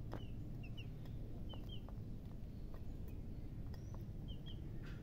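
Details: Young chickens giving sparse high peeps, single and paired, with gaps of about a second, over a loud low background drone and some soft taps.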